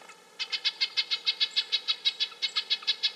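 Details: Red-breasted nuthatch breaking into a rapid run of nasal, tinny toots, roughly six per second and evenly spaced, after a short quiet start.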